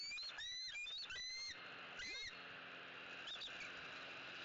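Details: Bald eagles in their nest tree in Southwest Florida early on the morning of 18 October 2018, vocalizing at a visiting sub-adult before chasing it off; a burst of high, thin, whistled chitters with sharp upward and downward inflections, then quieter background noise.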